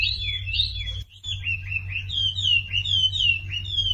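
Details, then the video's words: Sumatran leafbird singing as a lure for silent birds: a brief pause splits crisp, downslurred whistled notes repeated in quick succession, each bright and clear, over a low background hum. "SUARA MASTERAN WAMBI UNTUK YANG DIAM IKUT KICAU"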